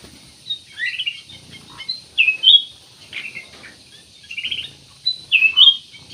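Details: Black-naped oriole in full song, played as a lure to prompt other birds to sing: short, clear, liquid whistled phrases repeated roughly every second, each a quick slurred rise and fall.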